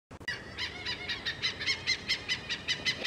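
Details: An Oriental pied hornbill (Anthracoceros albirostris) gives a fast, harsh cackling series of bright, nasal notes, about five per second, over faint rural background hiss.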